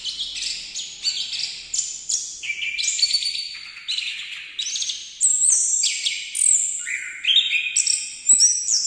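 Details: Orange-headed thrush singing a rich, continuous run of varied phrases: quick high whistles, buzzy trills and sliding notes, with short pauses between bursts and sharper, louder phrases toward the end; no other sounds stand out.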